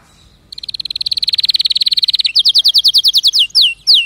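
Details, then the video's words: Canary building from silence into a long, accelerating high trill, then switching to slower, evenly repeated falling whistles about five per second. "اذا كناريك ما تغير في ضرف دقيقة اطلقو وبلاش تربي كناري"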